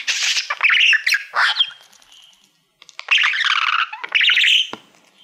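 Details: Male budgerigar singing at a shiny award plaque he treats as a mirror: two bursts of dense, scratchy chattering warble with buzzy squawks, separated by a brief quiet gap.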